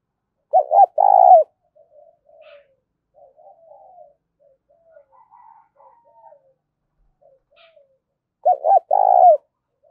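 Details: Low, mellow 'thúc' cooing of a spotted dove. A loud two-part coo opens the clip and is answered by a matching phrase near the end. Soft, scattered murmured notes fill the quiet stretch between.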